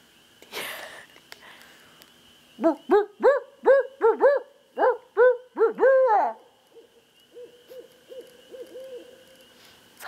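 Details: Barred owl called in by a person, answering with a loud run of about ten arched, rising-then-falling hoots over four seconds, then softer, quicker hoots trailing off; laughter and voices nearby.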